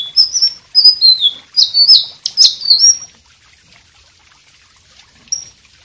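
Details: White-rumped shama singing, played as a master song for other birds: a three-second burst of high whistled and buzzy slurred notes, then near silence with one short whistle near the end.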